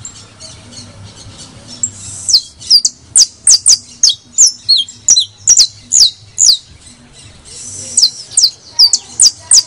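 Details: Criollo saffron finch song, used to stimulate other birds to sing: after a quiet start, sharp, high, downward-slurred chirps come in a fast, uneven series, about two or three per second, over a faint low hum.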